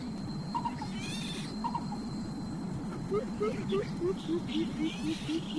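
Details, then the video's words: Coucal, a mother bird scolding her chicks that are still hungry after feeding: a series of low, hollow hoots repeated about every quarter second. Softer notes come before them and steady background hum runs underneath. "INDUK BURUNG BUBUT Marah KEPADA ANAKNYA SUDAH BANYAK DI BERI MAKANAN TAPI TIDAK KENYANG JUGA"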